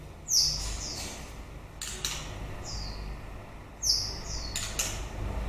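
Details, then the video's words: White-rumped shama at the end of the breeding season giving short, high, thin downslurred notes in small groups, with sharp clicking notes between them and a steady low background hum. "Chòe lửa bông hót cuối mùa sinh sản"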